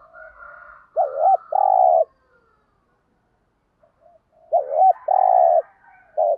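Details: Spotted dove used as a lure, gáy gọi style: two repeated phrases about three and a half seconds apart, each a looping double note then a long throaty coo, with the start of a third phrase.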